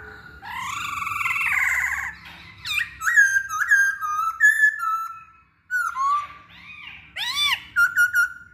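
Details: Masked laughingthrush song serving as a lure for other singers: a broad wavering harsh note, then clear whistled phrases in short groups, ending with loud arched sweeps and quick whistles.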